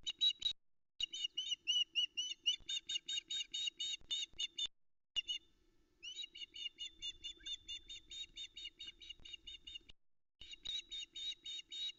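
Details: Female osprey on a nest at Loch Arkaig, Arkaig Community Forest, keeps calling to beg for fish after the male brings a headless trout, early morning of 13 July 2020, nest cam. Sharp, high whistled chirps repeated rapidly in long series.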